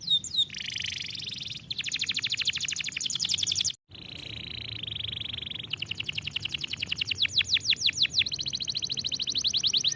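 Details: Training song of a canary, made up of fast high-pitched rolling trills, a steady buzzy passage, a brief silent break, then quick downward-swept notes repeated several times a second.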